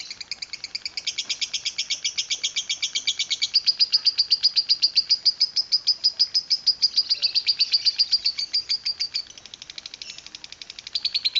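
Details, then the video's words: Long chattering lovebird song, a fast steady stream of high, scratchy chirps repeated several times a second for about nine seconds, briefly softening, then resuming. "love bird ngekek panjang"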